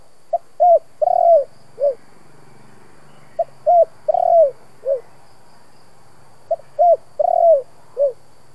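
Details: Spotted dove, a decoy bird of the Vietnamese 'thổ' voice style, cooing in the 'kích bổi' manner: three phrases spaced about three seconds apart, each a short soft note and then two or three deep, hollow, slightly falling coos, with a quiet background.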